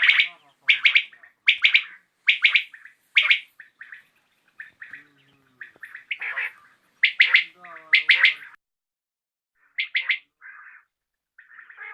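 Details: Common quail calling in the evening, giving sharp three-note bursts repeated about once a second, with softer, lower nasal notes between the phrases and a few gaps of silence.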